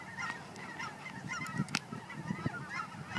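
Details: Flock of geese at Fern Ridge giving overlapping nasal honks in quick succession, mixed with a few low thumps and brief sharp knocks.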